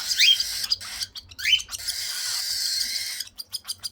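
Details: Young cockatiels at feeding time give two rising squeaky begging calls, followed by a long hissing rush of sound and soft clicks near the end.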